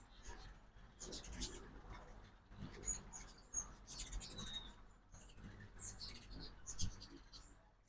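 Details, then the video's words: Ruby-throated hummingbirds crowding a feeder on a Mississippi fall migration morning in Oxford give thin squeaky twitters and high sliding chips, fairly continuous, over a soft low rumble. "2024 Hummingbird Fall Migration Morning Part 1"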